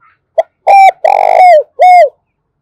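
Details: Lure call of a caged decoy spotted dove used to attract wild doves: one brief pip, then a loud hollow coo, a drawn-out vibrating coo that drops at the close, and a last arched coo, rich and resonant.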